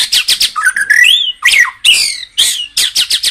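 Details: Loud, varied shama song for rousing caged birds: rapid chattering notes, a rising sweeping whistle, then harsh slurred phrases and quick repeated clicks.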